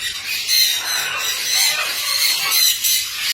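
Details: Cockatiel mating call, with a female reacting: high, thin squealing chirps repeat about once a second over a dense, hissy background.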